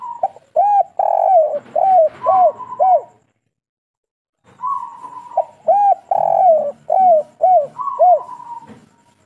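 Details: Local spotted dove (tekukur) in kuk 3 song style, delivering two full phrases separated by a pause. Each phrase has a level drawn coo and about five to six short, hooked, mellow notes, spaced roughly every half second.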